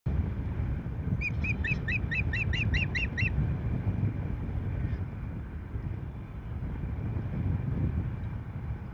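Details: Osprey at the Rutland nest on 14 March 2024, as a female drives off an intruding female after the male arrives with a fish: a rapid series of about nine sharp, descending, piping notes, then steady wind rumble.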